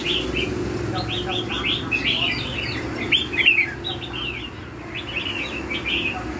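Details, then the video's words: Red-whiskered bulbul, "lân hầu bò" song style: rapid series of short chirped notes, a louder twittering flourish midway, then more spaced chirps. "CHÀO MÀO LÂN HẦU BÒ"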